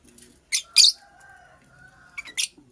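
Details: Female purple lovebird building a nest: two loud, harsh high chirps early on, then a quieter stretch with a faint steady tone, followed by two more sharp chirps near the end.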